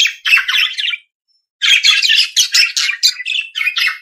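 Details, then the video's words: Australian budgerigar giving a short burst of buzzy chatter, a pause, then a fast run of chirps, squeaks and harsh notes. "periquito Austráliano/deixe seus pássaros 🐦 mais animado."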